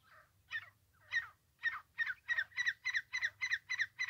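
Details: Francolin (teetar) calling, recorded in the context of francolin trapping: harsh, grating notes that begin hesitantly and then speed up into a rapid, evenly spaced series of about three notes per second.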